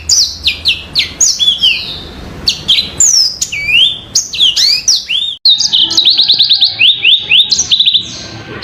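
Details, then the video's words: Yellow-fronted canary in full song: rapid high whistles sliding up and down, then a brief gap and a fast, evenly repeated trill of sharp notes, bright and clear throughout. "kicau burung MOZAMBIK super jernih"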